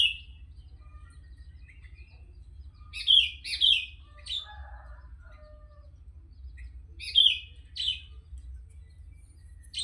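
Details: Sooty-headed bulbul in active song: a brief chirp, then paired liquid whistled phrases, a softer murmur, and a further pair of bright bubbly notes, all over a low background hum.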